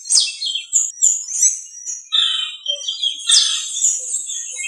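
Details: Ruddy-breasted seedeater, in a weedy green area: a busy run of high, quick chirps and slurred whistles, some notes sweeping down, with a long thin tone held near the top.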